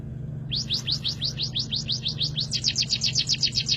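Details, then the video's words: Munia singing in a canary-like style: a fast series of high, sharply downsweeping whistled notes, about five per second, growing louder and quicker toward the end, over a low steady hum. "Burung pipit rasa Kenari suara jozz"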